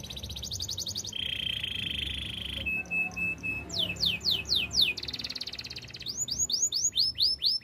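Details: Canary singing for training: a fast high trill, a long lower buzzing roll and a flat tone, then bursts of sharply falling whistled notes, over a noticeable background hiss.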